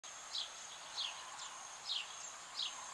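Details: A zitting cisticola (Cisticola juncidis) in the Ebro Delta, Spain, in August 2015, repeats sharp, high, downslurred 'zip' notes about every two-thirds of a second over a thin insect-like whine and soft hiss.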